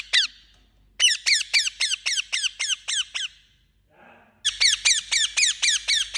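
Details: Indian ringneck parakeet uttering harsh falling squawks: one short call, then a quick run of nine, a brief softer sound in the pause, and another fast series.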